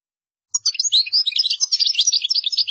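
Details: European goldfinch delivering qdara song, a continuous stream of rapid, liquid twittering and sweet chirps, high-pitched and unbroken for about two seconds.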